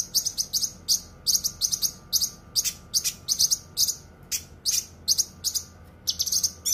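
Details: A leafbird (cucak kinoi) tutor recording sings in quick bursts of sharp, high, crowded chirps, short phrases following one another almost without pause.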